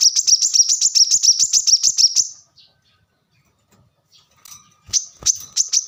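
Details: High-pitched rapid chipping from a plain-throated sunbird for about two seconds, then near silence with a few soft ticks, before the thin, fast notes start again.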